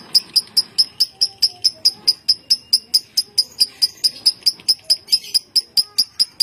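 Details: Bogor contest lovebird sustaining its long ngekek song: a very even run of sharp, high, clipped chirps, about two and a half per second, continuing unbroken throughout.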